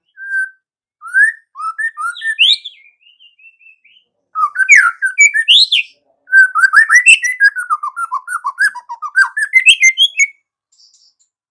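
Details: Energetic white-rumped shama singing: scattered whistled slurs and soft notes, then rapid tumbling sequences of quick descending and rising notes, varied throughout.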